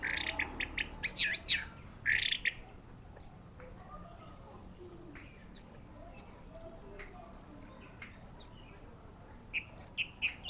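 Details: Varied song of an orange-headed thrush: a rapid chirpy series at first, then long thin high whistles and scattered sharp notes over a faint hiss.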